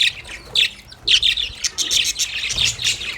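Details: Happy budgerigars at play in a cage, rapid high chirps and raspy squeaks coming in quick irregular bursts, about two per second, from more than one bird.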